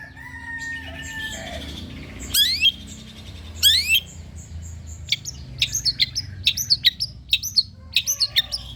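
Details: Long-tailed shrike used to coax birds into singing: soft, low whistled notes, then two loud, sharp upward sweeps, then a series of evenly spaced, looping squeaky chirps.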